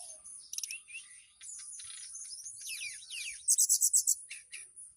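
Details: Captive mountain tailorbird in Purworejo, Central Java, singing to summon a female: soft jumbled twitters, then a loud burst of six rapid, evenly spaced high notes and a few lower chips.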